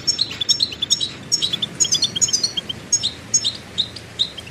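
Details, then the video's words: Rapid goldfinch twittering: high chiming notes and short trills follow each other almost without pause, forming a continuous cheerful jingle over a soft low hum. "Birdsong Motivation Let Goldfinches Inspire Your Success"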